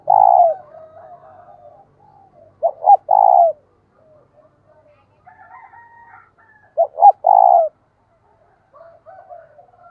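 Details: A decoy spotted dove, tamed to call in wild birds, repeats its phrase of two short notes and a long purring coo several times, with quieter cooing from other doves in between.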